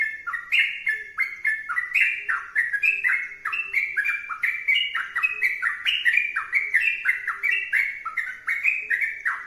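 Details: Sooty-headed bulbul in vigorous 'gacor' song: an unbroken stream of bright, slurred whistled notes, each sliding sharply up or down, several per second, loud and steady for the whole stretch with no pause.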